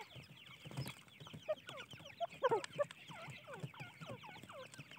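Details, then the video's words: Francolin (teetar) chicks, a group calling together: many overlapping short downward-slurred peeps, repeated rapidly and continuously, with a few louder clear notes in the middle. "teetar chicks voice"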